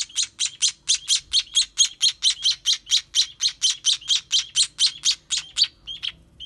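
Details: Baby sparrows being hand-fed, giving a fast run of sharp high chirps, about two per second, loud and steady, then trailing off near the end.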